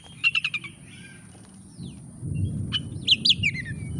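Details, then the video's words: Oriental magpie-robin lure song to make a lazy bird sing: a quick run of four clipped notes, a few soft sliding whistles, then bright twisting whistled notes as a low rumbling background noise builds, with a constant high whine. "kacer gacor DOR pancingan kacer malas bunyi langsung ngamuk"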